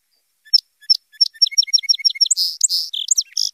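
A Song Sparrow sings: three or four spaced introductory notes, then a quickening series of paired notes breaking into a buzzy, jumbled trill at the end.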